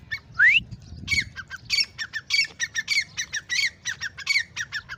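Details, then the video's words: Grey francolin, called irani or dakhni teeter, gives one loud rising whistled note, then a fast, uneven series of about a dozen sharp, harsh clipped notes, with a low rumble beneath. "Gray Francolin ||gray Francolin sound|| irani teeter ki awaz"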